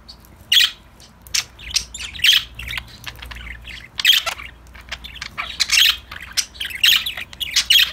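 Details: Budgies playing and calling: repeated harsh squawks every second or so mixed with softer chirps and chatter from other birds in the background.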